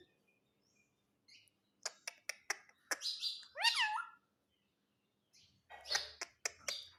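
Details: Pet parrot giving a run of short sharp clicks and chirps, then a loud squawk that sweeps downward, followed by a pause and another burst of clicky chirps.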